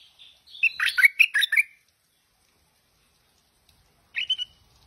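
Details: A tame Stripe-throated Bulbul sings one rollicking phrase of quick, gurgled notes, preceded by a thin whistle, then after a pause gives a brief, softer two-note fragment.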